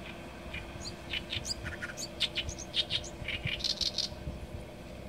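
An Oriental reed warbler sings a loud, scratchy jumble of harsh chattering notes and creaky whistles, delivered rapidly over a low steady rumble.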